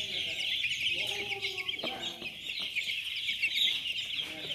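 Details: Day-old chicks at a poultry farm in Chimmad, Bagalkot district, a large flock peeping together in a dense, continuous high chorus of overlapping shrill cheeps, with a few lower notes mixed in.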